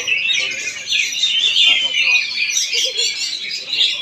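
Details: Oriental magpie-robin from Palangkaraya, Central Kalimantan, in a lively performance of rapid, sweet whistles mixed with harsh chatter and short rising slurs, pouring out nonstop over background human chatter.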